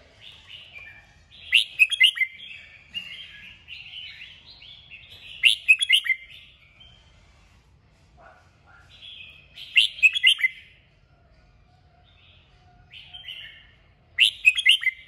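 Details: Red-whiskered bulbul delivering a strong kích bổi song to prompt singing: four loud, chattering warbled bursts with sharp high accents, repeated about every four seconds, softer phrases between, quiet background.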